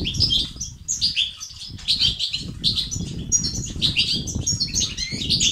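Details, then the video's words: European goldfinch in continuous batbata and sitsat song, played to help silent males start singing: dense, high, chattering twitters with sharp rising notes and some buzzy phrases, over steady low rumbling noise. "أقوى بتبتة وستستات للتحفيز الدكور الحسون وتساعده في زيادة النشاط وتحفيزهم على تغريد وعلاج صمت حسون"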